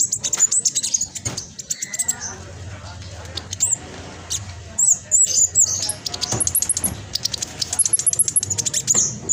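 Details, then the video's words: Speckled black sunbird in fast, dense chattering song used as a singing lure for idle birds; rapid high twitters and repeated thin sliding whistles, busiest toward the end. "Blacksunbird trotol gacor prospex cocok buat pancingan burung macet malas bunyi"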